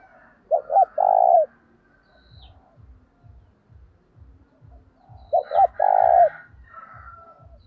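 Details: Spotted dove calling to entice wild doves, giving two phrases of two short coos and a long coo, separated by a pause filled with steady low ticking and faint chirps of other birds.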